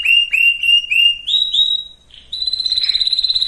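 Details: Canary song played to prepare females and males for breeding: loud whistled phrases repeated about four times per second, a clean sustained note, then a fast trill held to the end.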